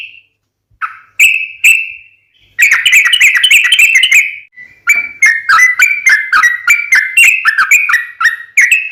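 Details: Sooty-headed bulbul lure song: a few separate whistled notes with gaps, then a long rapid string of chirpy, slurred whistles, some rising and some falling, continuing steadily to the end.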